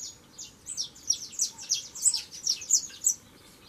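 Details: Close, loud burst from a young saffron finch: quick series of piercing, high, downward-sweeping chirps run together in a bubbling phrase over a quiet background.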